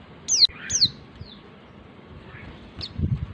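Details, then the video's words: Female white-eye calling to the male, used as a lure to stir males that are not in breeding condition or are reluctant to sing: a few thin, high, quickly falling whistled notes in a burst, then fainter chirps over low background rumble. "pleci betina memanggil jantan"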